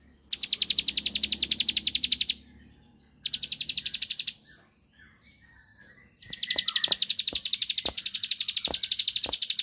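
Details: Bar-winged prinia sings repeated high trills of fast chips in three bursts, meant to rouse a rival to answer. During the last burst, several sharp clicks or taps sound in the background.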